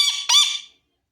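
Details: Pet parrot making two harsh, buzzy squawks in quick succession, the second louder and longer before it trails off, with nothing else audible.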